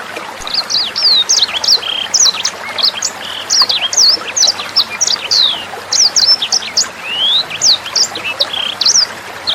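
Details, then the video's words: Sanger bird song used as a tutor recording: energetic bursts of shrill, slurred whistles and sharp chips follow one another quickly, broken by brief gaps, over a light background of flowing water. "SUARA MASTERAN BURUNG SANGER NEMBAK JERNIH + GEMERCIK AIR"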